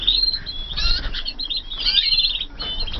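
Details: Canaries hatched in 2014 singing in a flight aviary: bright, fast trills and high whistled notes, several birds overlapping with continuous chirping and a low background rumble.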